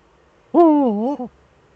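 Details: Eurasian eagle-owl pair in the nest hollow, webcam, 6 March 2013: one strong wavering wail, dipping in the middle and ending with a short clipped tail note.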